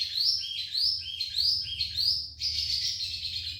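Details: Red siskin in lively gacor isian song: sweeping high notes repeated about every half second, then a buzzy, rapid chattering phrase, loud and close.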